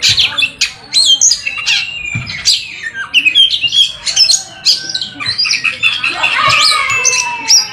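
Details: Oriental magpie-robin, locally kacer, delivering its ngerol and nembak song: varied piercing whistles, clicks and rasping trills, then a long sustained warbling stretch toward the end.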